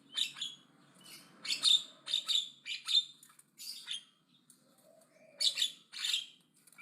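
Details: Javan myna, described as aggressive, chattering loudly: harsh broadband bursts of screechy, rasping notes in irregular clusters, with short pauses and a faint low hum underneath.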